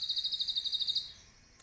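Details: Caged pet sunbird recorded live, its cililin-filled song serving as master song for training songbirds: one high, quick pulsing trill of about a dozen beats lasting just over a second, fading into quiet.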